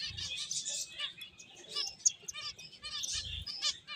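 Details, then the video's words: Several finches playing, chirping in a continuous high, twittering chorus of short repeated notes with a few low thuds. "Cute Birds Chirping Sounds | Beautiful Finches Playing"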